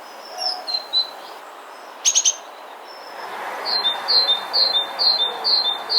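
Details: A Great Tit in a Hampshire, UK garden in 2020 gives sharp, high chinking 'pink' calls that are easily mistaken for a chaffinch, scattered at first and then in a quick run of about two per second.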